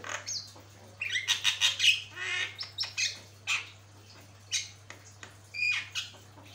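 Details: Javan myna on a long training recording for other birds, delivering scratchy, squawking phrases mixed with short whistles, dense at first and then in spaced single harsh bursts, over faint steady hum.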